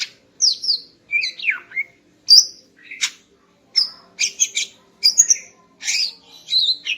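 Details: Morning song of a female greater green leafbird meant to excite a male: varied separate phrases of whistles, falling slurs and sharp chirps, spaced by short silences.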